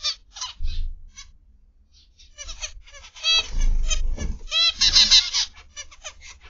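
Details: In an aviary of zebra finches on the afternoon of 29 November 2021, scattered nasal beeps build into a busy overlapping chorus of honking calls, with some low background rumble.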